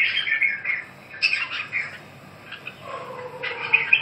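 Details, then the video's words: Red-whiskered bulbul song in short warbled bursts, bright whistled notes separated by brief gaps, with a softer lower whistle drifting downward toward the end. "Kênh về chim Chào mào"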